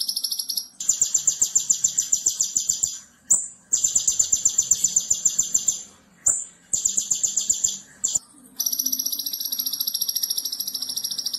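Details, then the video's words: Konin master song recorded to train other birds, sung nonstop with rapid bursts: repeated high, rapid trilled phrases separated by short pauses and brief sharp whistles, ending in a steady buzzy trill, with faint ticking beneath. "Masteran Konin Jawara - Tembakan Extra Super Pedas - Masteran Konin Gacor Full Tembakan"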